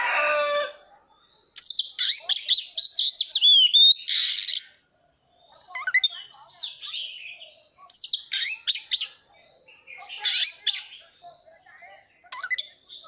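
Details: Oriental magpie-robin singing while displaying with spread tail, a varied phrase of rich whistles, sweeping notes and scratchy trills in bursts separated by short pauses, opening with a brief harsh note.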